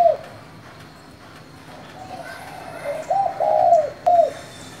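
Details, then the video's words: Spotted dove giving a 'thổ' voice call to rouse newly caught birds: a brief coo at the start, then quiet, then a cluster of soft, low hooting coos near the end. "Cu gáy giọng thổ gọi, thúc kích bổi nhanh nổi"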